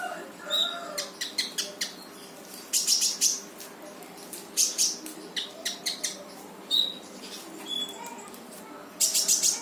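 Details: Vigorous rapid-fire 'gacor' song of a brown-throated sunbird, used to get a silent bird to sing along: busy high chips, short chattered bursts and thin whistles, varied and irregular throughout.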